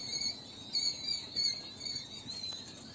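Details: King quail chicks giving thin, high peeping notes in short bursts, several bright peeps within three seconds over a steady faint high hiss, with low background rumble.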